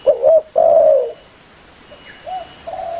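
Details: A vigorously calling spotted dove summons its companions, recorded as a hunting lure: a double hooting note runs straight into a long mellow coo, followed by quieter, softer coos and a thin continuous high hum.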